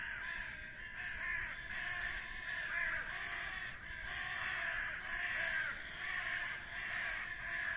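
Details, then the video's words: Common ravens fighting, giving a steady run of harsh, hoarse croaking caws that rise and fall in loudness, several birds calling over one another with no clear pauses. "Bójka! Kruki sie biją!"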